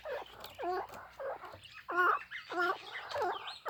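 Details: Hybrid chukar partridge giving a run of hoarse, rich clucking notes, each about a third of a second long, repeated roughly every half second in an uneven rhythm over faint background hiss.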